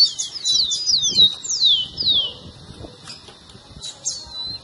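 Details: Rufous-collared sparrow, recorded to warm up a pet bird's singing: a quick cluster of high down-slurred whistles, then longer sweeping notes falling in pitch, ending in sparse faint calls.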